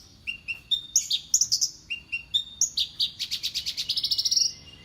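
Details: Song of Horsfield's bush lark, a drab little bird that copies the voices of other birds: short whistled notes at shifting pitches, sharp chirps, then a quickening run of high rattling notes rising at the end.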